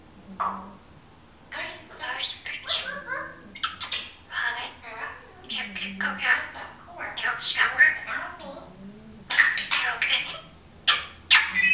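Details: A female Timneh African grey parrot talks in bursts of speech-like syllables with a few bright whistled notes, against a low indoor hum; another parrot can be heard in the background and a dog snores nearby.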